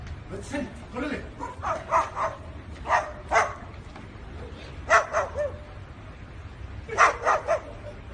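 A cockatoo imitates a dog, giving short, harsh barks in quick pairs and triplets.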